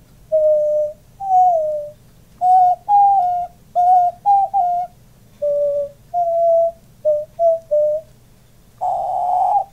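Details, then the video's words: Caged-pet diamond dove, a male that puffs up while cooing, with his owner cooing along: about a dozen brief, mellow whistled coos in uneven groups, several dipping in pitch, closed by a rougher, louder breathy note. "Diamond dove cooing"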